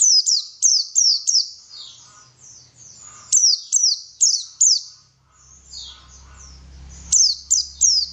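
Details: White-eye song used as a lure to get white-eyes singing energetically: a rapid series of high, thin, downward-slurred chirps, about two per second, with a softer twittering pause midway and a faint low hum.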